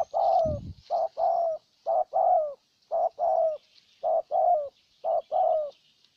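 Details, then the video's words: Ninh Thuận spotted dove acting as a lure for a wild dove; clear mellow coos, each pair a quick note then a longer downslurred one, about one pair per second, with a brief knock at the start. "Cu Gáy Ninh Thuận clip 144 [ Hiệp 2 ] Mồi Siêu Gù thu phục bổi quá tuyệt vời"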